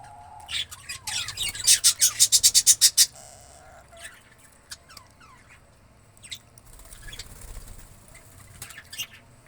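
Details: Indian ringneck parakeet giving a fast run of harsh, grating screeches, about a dozen in quick succession over two seconds, then scattered sharp squawks and chatter.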